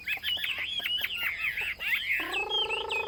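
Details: Chinese hwamei pouring out fast, tumbling whistled notes, cut off near the end by a lower, drawn-out harmonic call.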